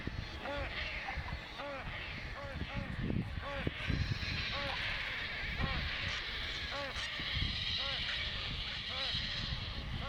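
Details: At Bharatpur Bird Sanctuary a hungry painted stork chick keeps crying for food beside its mother: a long run of brief, nasal, down-curving cries roughly once a second, with low rumbling noise throughout.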